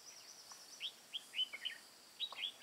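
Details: Decoy red-whiskered bulbul singing to lure wild birds in Hòa Bình mountain forest, Vietnam, 5 February 2017; quick chirpy whistled notes in rapid clusters, some sliding down, with a faint high insect hum behind.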